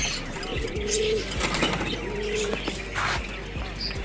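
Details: Pigeons: short, low, hollow coo notes near the one- and two-and-a-half-second marks among bursts of wing flapping and soft thumps, with faint higher chirping in the background.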